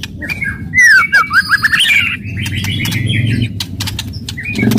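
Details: Aggressive White-rumped shama song meant to rouse other shamas: loud sweeping whistles run together into a buzzy warbling stretch, followed by scattered clicks and a short rising phrase, over a low rumble.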